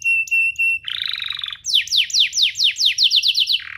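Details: Canary song meant for young canaries to copy: clear steady whistled notes, a buzzy trill, then a quick series of downslurred chirps about five per second, ending on a lower note.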